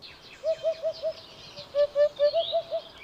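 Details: Eurasian hoopoe, a hole-nesting bird of Spain, singing soft, low, hollow hooting notes evenly repeated: a run of four, a short pause, then six more, with faint higher chirps of other birds behind.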